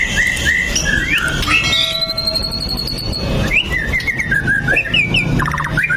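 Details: White-rumped shama (murai batu) singing nonstop on a lure recording meant to prompt other shamas to sing: clear whistled notes sliding up and down, a long rising whistle, then rapid varied phrases over a steady low background rumble.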